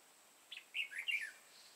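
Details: During bulbul trapping on 31 March 2018, a red-whiskered bulbul with a crest and dark bib gives one brisk phrase of slurred whistles, a short upward note, then rolling notes dipping and rising.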